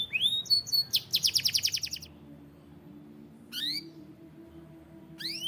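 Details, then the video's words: White canary opening with a brief sweeping note and a fast stuttering trill, then falling quiet apart from two isolated sharp rising chirps. "White Canary Sound Effect"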